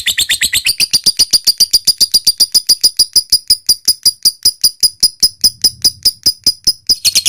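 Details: Lovebird in full long chatter (ngekek panjang), recorded as a lure to make other lovebirds answer: a fast, steady run of sharp high ticks, about two or three per second, sustained for over seven seconds.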